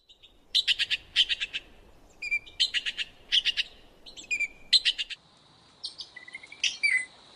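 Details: Red-billed blue magpie giving rapid harsh, rasping chatter bursts in short runs, mixed with brief clear whistled notes and a falling whistle near the end, with quiet background.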